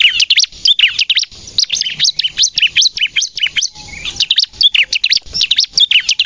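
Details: High-pitched 'gacor nembak' song of a Bar-winged prinia, used as a lure and to prompt captive birds to sing; continuous rapid series of shrill, clipped notes with a slight lull just past midway.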